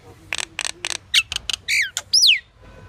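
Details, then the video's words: Pied myna making three rasping bursts, then sharp clicks and a pair of sliding whistles, ending on a long, loud downward-swooping whistle. "Pied Myna bird's variety of calls and sounds"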